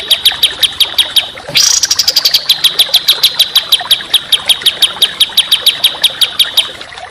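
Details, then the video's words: Songbird contest training song of dense, rough, rapid chip notes delivered at about five per second, broken near the start by a brief burst of a higher, descending trill, then resuming steadily. "Masteran Burung Kicau Tembakan Rapat dan Kasar"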